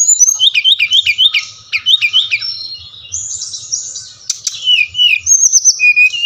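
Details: Brown-chested jungle flycatcher song meant to trigger captive birds into singing: opens with six quick repeated upslurred whistled notes, then a high scratchy warble, descending slurs and a final low clear whistle.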